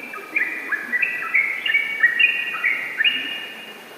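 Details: Yellow-vented bulbul in energetic ropel-style song, a quick run of liquid whistled notes with short rising and falling slides, delivered in bursts over four seconds against faint background hiss.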